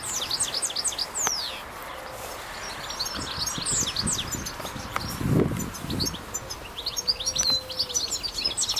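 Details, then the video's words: European goldfinch singing outdoors in nature in France: a fast, high, twittering run of sharp chirps and trills that continues throughout, with a low rumble near the middle and a soft hum late on. "chant chardonneret nature"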